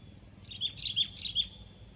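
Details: Sooty-headed bulbul singing a short phrase of about five bubbly, warbled notes between mid and high pitch, rising and falling quickly, over a faint steady background hiss.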